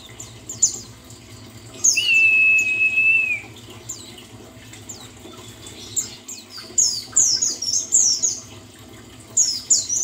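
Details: Buxtoni white-eye therapy sound meant to restart singing: a long, steady, level whistle lasting over a second, then a quiet pause and quick strings of very high, bright chirps and twitters.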